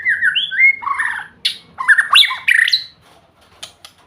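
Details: White-rumped shama singing sweetly, a loud and varied phrase mixing slurred whistles with harsh, squawky, scratchy notes, then a quiet spell with a couple of faint ticks.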